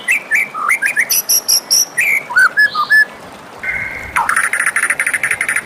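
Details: White-rumped shama singing in the morning: clear whistled notes, some slurred upward, a brief steady tone, then a fast buzzy run of repeated short notes.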